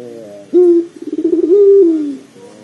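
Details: One full coo phrase from a pelung dove, used as a lure to set off calling in another dove: a short, bright opening note, a rapid rolling pulse, then a smooth held tone that slides lower as it fades.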